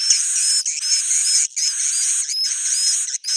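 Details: Suara inap, the swiftlet roosting call used to draw birds in: continuous high, buzzy twittering with short, sharp whistled notes, split by a few very brief pauses.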